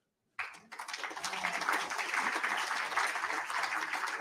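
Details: Sustained applause and clapping fill an indoor room after a short silence, with no animal sound heard.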